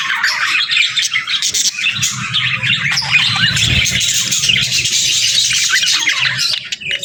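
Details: Budgerigars in pairs keep up continuous chatter: rapid, scratchy twitters and squawky notes piled on one another, with a soft low hum in the background midway.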